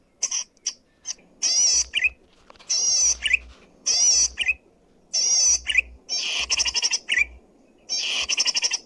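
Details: Zitting cisticola, sung loudly and clearly as a model for luring or training birds: a series of grating buzzy phrases, each closed by a quick lower chirp, mixed with bursts of fast ticking notes.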